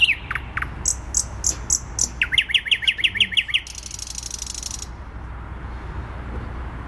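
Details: A thrush nightingale sings in the centre of Warsaw, Poland, 12 May 2020: a few loud downslurred notes and high clicks, then a rapid series of rising-falling chucks, followed by a long harsh rattle and distant traffic rumble.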